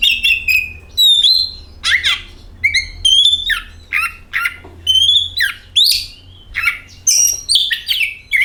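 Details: Oriental magpie-robin song used to trigger other magpie-robins into singing: a rapid run of varied notes, clear whistles and sharp scratchy squawks, nearly continuous for several seconds.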